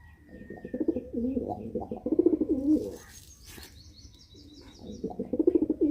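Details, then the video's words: Angry pigeon giving low, throaty rolling coos in bursts, pausing midway, while thin high chirps from smaller birds sound above. "Angry 😠 Pigeon"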